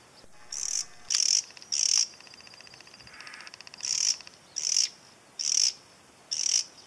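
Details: A pair of cactus wrens gives harsh, rasping bursts about once a second, with a pause midway, over a steady high insect-like hum; unseen cactus wrens may faintly sing back.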